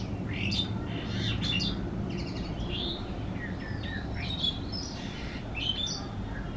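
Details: In a backyard, a common tailorbird gives bright, sharp chirping notes in quick irregular bursts, over a steady low rumble of background noise.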